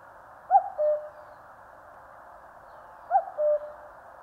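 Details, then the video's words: Cuckoo calling in the mountains of Korea: a clear two-note falling cu-coo, given twice about two and a half seconds apart, over a steady soft background hiss. "청량한 뻐꾸기 울음 소리. Cuckoo chirping in the mountains."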